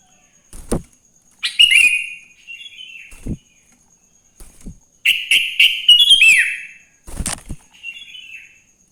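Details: Wild Sooty-headed bulbul in morning song, played to coax other bulbuls into singing: several bursts of chattering, buzzy phrases with falling slurred whistles, a loud cluster near the middle, soft thumps between, and a faint constant high tone.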